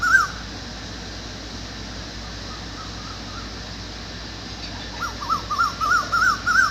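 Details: Cuckoo calling in the evening dark: one wavering whistled note, a long pause, then a quick run of about eight wavy, rising-and-falling whistles that grows louder toward the end, over steady low hiss.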